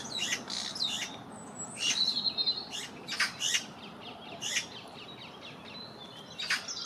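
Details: Young Eurasian magpie begging in vain, fluttering its wings after its parent refuses to feed it a peanut: harsh, scratchy bursts of noisy chatter in short clusters, with thin high whistles from other birds in between.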